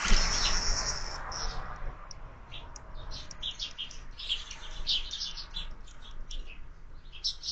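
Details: Sparrows eating breakfast at feeders mounted on a window, fed year-round; a brief rushing burst at the start, then a lively stream of short repeated chirps from several birds.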